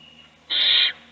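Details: One short, loud, hoarse hiss lasting under half a second, from an owl nest box where an adult is feeding one chick while the other chicks sleep.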